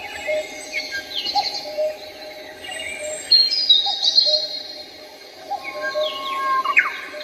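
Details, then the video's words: Birds singing in the sky of Seoul: varied high chirps and whistled phrases come in bursts, with sweeping downward notes, over a steady low hum. "The song of birds starts in the sky of Seoul"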